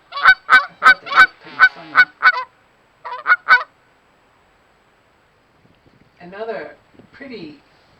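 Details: Geese give loud, nasal honks, a quick run of about eight and then a brief burst of three, on an ice-covered pond on a snowy winter morning after a snowstorm, where they slip and skate. A person speaks softly afterward.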